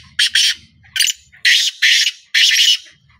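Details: Harsh, buzzy calling from a black francolin: a doubled rasp, a single short note, then three broad grating syllables, the last drawn out longest, with a faint low rumble beneath.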